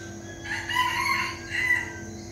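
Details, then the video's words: Red junglefowl crowing at dawn, a mini decoy bird kept for luring in Bình Phước, Vietnam; a softer, somewhat distant crow with a rising opening, a sustained middle and a brief final note over a steady background hum. "Gà rừng mồi mini siêng gáy, cứ bình minh lên là còn hơn cả đồng hồ báo thức"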